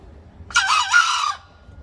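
A green junglefowl gives one hoarse, shrill crow of under a second, split into two rasping parts, against a quiet background.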